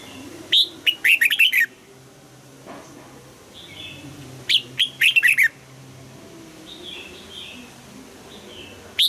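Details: Red-whiskered bulbul singing a double-note 'old forest' style song for morning-song training: two quick bursts of five or six sharp, slurred whistled notes, each falling from high to mid pitch, about four seconds apart, with faint softer calls between.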